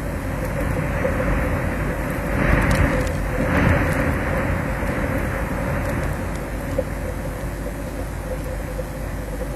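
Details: A loud, continuous roar of engine or traffic noise swells and fades slightly, with no animal voice.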